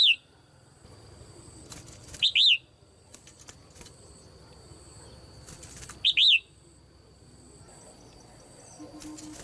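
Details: Caged female red-whiskered bulbul calling to stimulate other birds to sing loudly. Two brief phrases of bright, arched, rising-then-falling whistles, about four seconds apart, with long quiet gaps and faint background hum.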